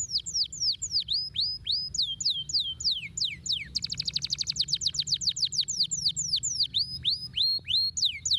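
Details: Canary song meant to stimulate lazy canaries to sing: bright, high whistles sweeping sharply downward in a steady series, then a fast rattling trill of rapid notes, and the swooping whistles return. A low hum runs underneath.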